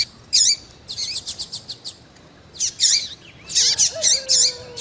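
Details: Calling female rusty-collared seedeater, kept to stir a male into singing; loud high chirps and twittering bursts in groups, a quiet pause mid-clip, then more rapid chirps with a lower drawn-out whistle near the end.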